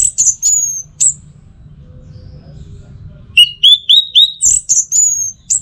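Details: Teler song of an orange-headed thrush. It begins with bright slurred whistles and a long falling note, then a silent gap, then a fast run of six or seven rising whistles ending in high squeaky notes.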